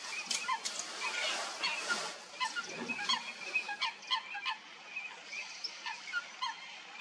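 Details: Coots fighting at Stodmarsh, Kent, UK: a loud burst of splashing and scuffling first, then a series of short, sharp, nasal calls repeated in quick succession.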